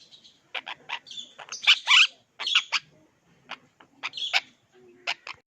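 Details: Household parrots, with an African Grey in the background making funny noises while an Indian ringneck and an Alexandrine play with roses; bursts of harsh high squawks, chirps and whistled clicks in irregular clusters with short pauses.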